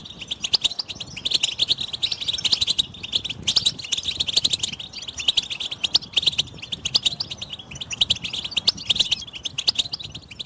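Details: European goldfinch group chatter meant to push silent goldfinches into song: steady high, bright twittering with sharp accented chirps every second or so, over a faint low rumble.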